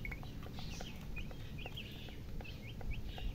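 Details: Young chicks give scattered high, clipped peeps, a few every second, some rising and some falling, over a loud low-pitched rumble.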